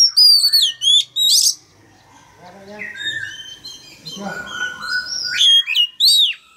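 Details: Male Oriental magpie-robin singing loudly to coax a young bird into song: fast falling whistles and a harsh burst, softer varied warbling in the middle, then more ringing whistled notes.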